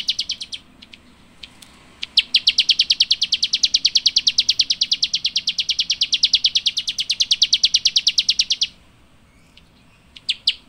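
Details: Rice-eating birds chirping: a long, fast, steady run of sharp high chirps, about three per second, lasting roughly six seconds, with a few scattered short notes before and after.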